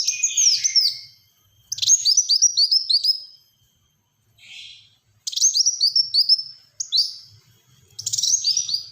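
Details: Black-throated sunbird repeating rapid phrases in the 'tembakan rapat' style, used for luring and tutoring birds: clusters of quick, high, downward-hooked whistles separated by short pauses, with one softer buzzy note between phrases.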